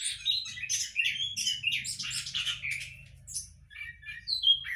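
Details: Captive-bred orange-headed thrush in a hanging cage giving a busy run of varied high chirps and short whistled notes, tumbling one after another with hardly a pause, over a faint low hum.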